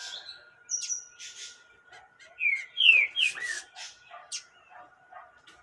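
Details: Calling female yellow-bellied seedeater urging a male on: short whistles and chirps, a bright cluster of sliding downward notes in the middle, over a steady faint electrical hum.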